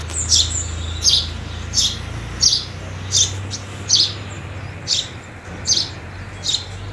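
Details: House sparrows feeding around New Year 2022, giving short high chirps repeated roughly every 0.7 seconds, with a steady low hum and background noise underneath.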